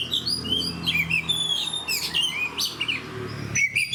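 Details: Oriental magpie-robin, a spirited fighter bird, gives mixed song of bright whistles, quick slurred couplets and scratchy high notes, with a final upslurred phrase. A low hum sits in the background.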